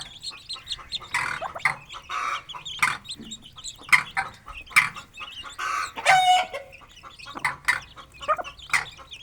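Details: Aseel chicks and their mother feeding freely in a village yard; frequent short chirps and clucks come in irregular bursts, with one longer sliding cry midway.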